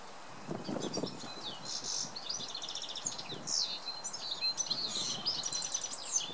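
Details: Early-morning song of a male goldfinch: bright rapid chirps, sliding whistles and short buzzy trills run together, with broad background hiss and some low rumbles.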